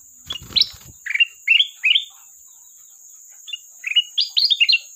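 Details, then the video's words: Sooty-headed bulbul calling out to a rival, a brief knock at the start, then rich fluty warbled notes grouped in quick runs, with a lively closing cluster of four rapid phrases over a constant high hum. "Burung Kutilang Emas Gacor isian pandai memanggil lawan"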